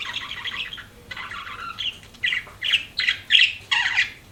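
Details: Chirping pet budgerigars: buzzy warbled chatter at first, then a run of loud separate squawky chirps spaced about half a second apart toward the end.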